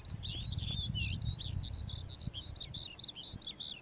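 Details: Morning song of a calandra lark, a rapid run of high chirps, short whistles and rising-falling twitters packed close together, over low rumbling background noise.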